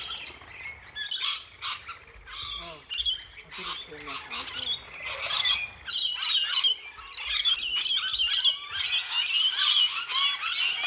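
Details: Wild rainbow lorikeets taking supplementary feed in winter, July 2014, when natural blossom food is scarce; a dense flock chorus of shrill, scratchy squawks and screeches overlapping continuously, with some lower voiced sounds briefly in the middle.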